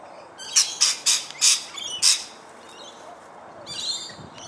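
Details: Rainbow lorikeets (Trichoglossus moluccanus) feeding give harsh, high screeches in a quick burst of about six within two seconds, then a softer rasping chatter after a pause.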